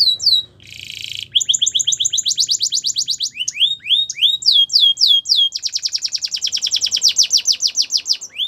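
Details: Russian canary song used for training other canaries: a loud, rich run of rapid repeated notes, a brief buzzy trill, then long series of quick up-swept whistles and fast rattling rolls at a high pitch, with no other sounds.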